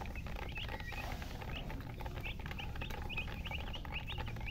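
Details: Chicken giving short, high chirps, each a quick bent note, scattered irregularly through the clip over a noisy, rumbling background.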